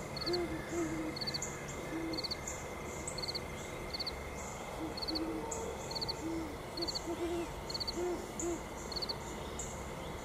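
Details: Great horned owls on Mt Nittany at sunset give deep hooting phrases in irregular bursts, while high triple chirps from an insect or bird repeat about once a second throughout.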